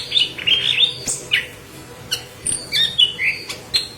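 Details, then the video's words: Yellow-headed leafbird in full, intense song as tutor for green leafbirds: quick series of high chirps and squeaky whistles, roughly four notes a second, with a slight mechanical hum. "Burung Murai Daun Kepala Kuning Gacor"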